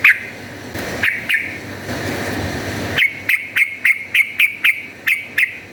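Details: Yellow-vented bulbul calling energetically in a fighting style, used as a lure to make other bulbuls aggressive: a few scattered sharp notes over background noise, then a steady series of about ten clipped chirps roughly three per second.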